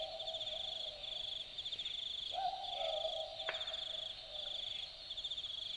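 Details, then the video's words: At night in Australian bush forest at Dharug National Park, an Australian boobook gives a single two-note boo-book, high then slightly lower, midway through. A loud, steady, pulsing high insect chorus continues throughout. "Boobook Owl Call - The sounds of an Australian Boobook calling at night"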